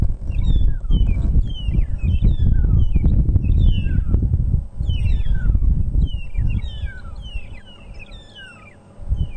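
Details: Several magpie (long-tailed) shrikes trade clear, slurred, strange whistles, some rising, some falling, in quick overlapping bursts, over a loud roar of wind, on an unusually windy South African safari morning around sunrise, 5 November 2014.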